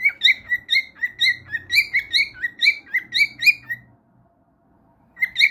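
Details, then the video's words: Cockatiel singing: a loud, fast series of clipped whistled chirps with bright overtones, about four per second for four seconds, then a short silence before the chirping resumes. Faint low hum underneath. "تغريد كروان كوكو"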